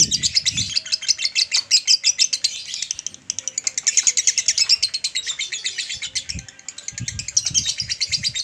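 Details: Male lovebird chattering at length, a 'ngekek panjang' training call for adult males: rapid shrill chirps pour out in long runs, briefly easing once, with some soft low thumps in the background.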